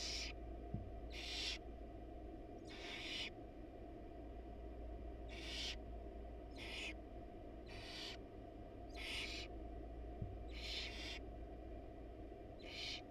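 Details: Wild barn owl male bringing a rat to the nest box while the female is gone. About ten harsh hissing screeches over thirteen seconds, loosely spaced, with steady low droning noise throughout.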